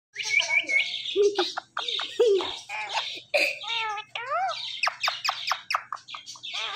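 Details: Two pet talking parrots giving loud, squawky chatter: rapid harsh notes, short clicks and rising and falling whistled syllables in quick bursts, with a faint low hum underneath.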